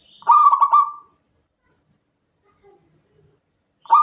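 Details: Indonesian local zebra dove in full night-time song, unedited recording used to coax other doves to sing: one clear phrase of rapid stuttering coos trailing into a steady tone, then silence before the next phrase begins at the end.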